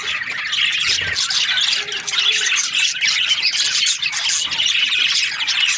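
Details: Australian budgerigars in breeding season, a flock chattering continuously with dense scratchy chirps, squawks and warbles overlapping throughout.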